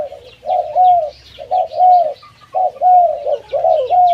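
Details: Zebra dove with a loud voice giving a series of low, mellow cooing phrases, each a short run of soft notes ending in a drawn-out coo, repeated about once a second, with a quiet background.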